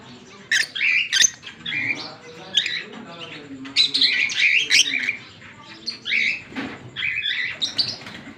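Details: Pet pair of green Fischer's lovebirds singing and chirping: fast, repeated bursts of high, piercing squeaky notes and chatter, nearly nonstop throughout, with brief gaps between clusters.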